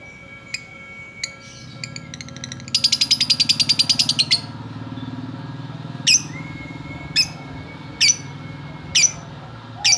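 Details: Female lovebird chattering. A few scattered sharp clicks lead into a fast run of about twenty high squeaky notes lasting over a second. Isolated sharp chirps then follow every second or so, over a steady low hum.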